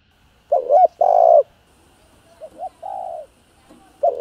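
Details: Spotted dove coos meant to rouse other doves, in calling, urging and crooning styles: two loud hooting notes, then a softer, quieter phrase of short notes and a longer coo, another note starting at the end.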